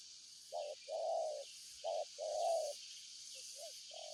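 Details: Spotted dove cooing clearly, a short hollow note then a drawn-out rolling coo, repeated twice, then softer short notes, against a steady hiss of high background insects.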